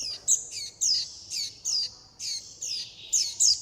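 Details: Young warbling white-eyes calling their mother and flock and begging for food, giving rapid, high, shrill downslurred notes about three per second in a continuous eager stream.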